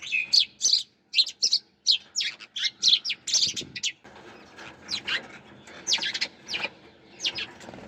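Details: Bright, high chirps from sparrows come in quick separate notes for four seconds, then continue more softly over a steady background hiss.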